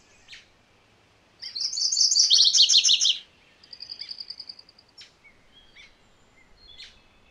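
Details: A MacGillivray's warbler sings one rich, rapid phrase of repeated high buzzy notes that shifts lower midway. An evenly spaced high trill follows, with scattered soft chips around it.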